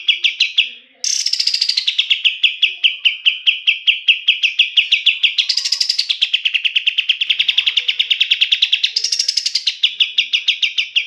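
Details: Kapas tembak bulbul song as training master for songbirds: a long rapid rattling trill with two rising, higher-pitched flourishes breaking the even run of bright repeated notes.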